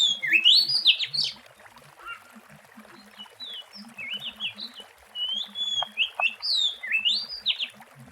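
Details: Oriental magpie-robin in the wild, its song used as a lure: loud rising and falling whistled notes open the phrase, followed by a run of varied, looping whistles and brief sharp notes. Low chirping sounds in the background.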